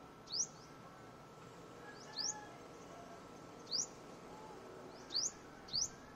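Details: Luzon sunbird giving five thin, steeply rising high chips at uneven gaps of one to two seconds, against faint steady background noise.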